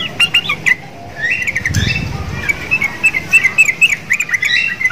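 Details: Caged sooty-headed bulbul, an eager singer said to sound like the Javan mynas caged beside it, delivers clipped chirps, then a brief knock, then a long chattering string of quick twittering notes.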